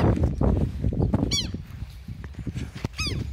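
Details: Southern lapwing from a flock attacking a person outdoors: two harsh, strongly harmonic, downward-sweeping cries about one and a half seconds apart, over heavy low wind-like rumble and handling noise.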